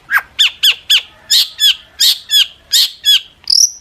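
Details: Long-tailed shrike calling energetically to bait other shrikes into answering: about ten sharp downslurred notes repeated roughly every third of a second, ending in a higher thin whistle.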